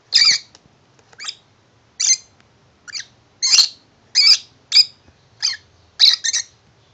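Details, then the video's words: A tame pet lovebird singing happily for its new box house: a steady string of loud, raspy chirps and short squawks, about one every half second, some doubled. "Tame Lovebird singing happily for his new house."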